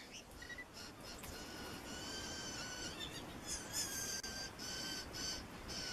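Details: A Blue Jay's soft whisper song, a breeding-season song often lasting two minutes or more: a quiet, rambling jumble of clicks, chucks, whines and liquid notes over a steady background hiss.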